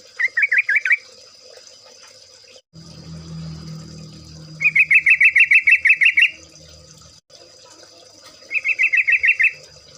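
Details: Trucuk, the yellow-vented bulbul, in rapid chattering song: three separate strings of fast, evenly pulsed bubbly notes, the longest lasting about one and a half seconds, with a low hum and steady high whine in between.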